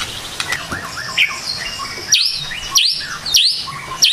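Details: White-rumped shama morning song: a few soft slurred notes, then bright high notes that dip and rise sharply in a V, repeated roughly every 0.6 seconds, over a faint background hiss.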